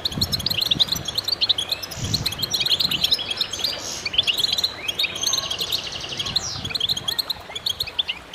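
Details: Goldfinch chorus for stimulating birds: continuous high chattering twitter and fast trills from overlapping singers, with some low rumbling knocks underneath.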